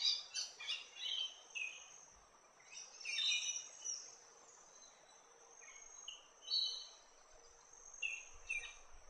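Large-billed Scrubwren giving high, thin chittering and scratchy notes in short irregular bursts, over a steady high insect hiss.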